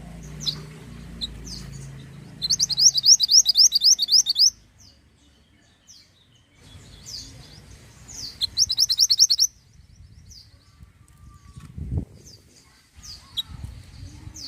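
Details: Pied bushchat in vigorous song: two rapid, high, ringing trills of closely repeated chirps, each about two seconds long and several seconds apart, with scattered thin whistled notes between and a faint low thump.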